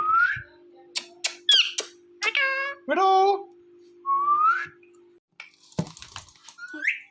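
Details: Ringneck parrot kept as a pet, chattering to a phone indoors: rising whistles, sharp clicks and short harmonic word-like syllables in an uneven string, with a faint hum and some handling noise.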